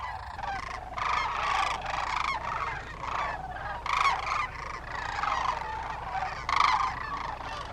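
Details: Hundreds if not thousands of wild sandhill cranes wintering at a camping area in Willcox, Arizona; a dense chorus of overlapping rolling, honking calls rises and falls continuously, some louder bursts standing out every second or so.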